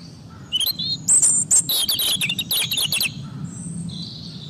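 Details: European robin, called a British bird, giving a brief fast phrase of high, thin, trilled and twittering notes lasting about two seconds, then quieter faint whistles against low background noise.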